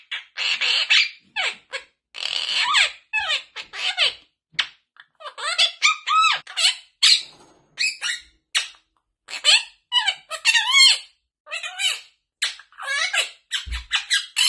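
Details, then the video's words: Talking pet parrot producing a rapid stream of squeaky, speech-like syllables with bending harmonic tones, many short bursts in quick succession, indoors with no other clear sounds. "Talking Parrot"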